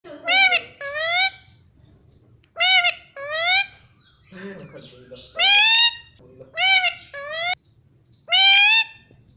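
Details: Indian ringneck parrot talking, mimicking human words such as "mummy" and "papa": short nasal, voice-like phrases of two syllables, repeated about every two seconds, with quiet pauses between and faint low murmuring once in the middle.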